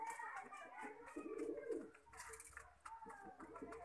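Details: Lakha pigeon giving a drawn-out, low, rolling coo in the middle, with shorter coos before and after, against clicking and rustling indoors.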